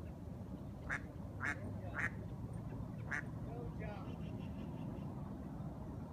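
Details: A duck calling at the end of the day, giving four loud, harsh quacks about half a second apart, then a pause and one more, followed by a softer trailing note, over a steady low background hum.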